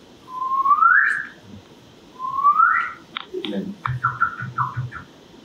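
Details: Northern Cardinal song played in a room: two loud, clear whistles sweeping upward, each upward curve produced seamlessly by the two sides of the syrinx, then a quicker run of short repeated notes; faint room hum.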